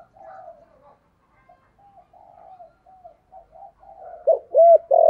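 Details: Spotted dove, 'giọng thổ' voice, played to draw wild doves in: faint, broken low coos build over several seconds into loud, hollow arched notes at the end.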